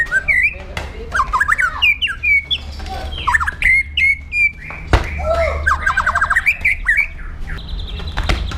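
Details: Indonesian captive white-rumped shama singing aggressively as a training model: dense varied phrases of slurred whistles, harsh chatter and rapid repeated notes, with low constant hum.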